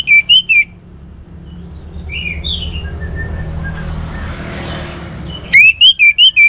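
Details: Orange-headed thrush song played to spark singing in other birds: a short burst of looping whistles opens, followed by a long stretch of soft hiss and distant notes, then a closing burst of rapid rising whistles.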